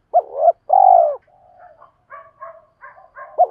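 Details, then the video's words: Spotted dove decoy cooing to lure wild birds: a double coo and a long purring coo, followed by softer, broken, higher chattering notes and a final short coo. "tieng chim cu mồi thúc và gáy gọi bổi rất nhanh dìa cội/ tiếng gáy dùng luyện mồi và bổi"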